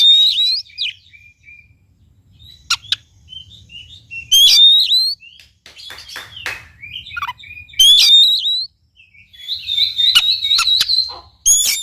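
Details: Oriental magpie-robin (kacer) song played to coax a quiet bird into song: repeated loud warbled phrases, sharp clicks and high upslurred whistles over nearly twelve seconds.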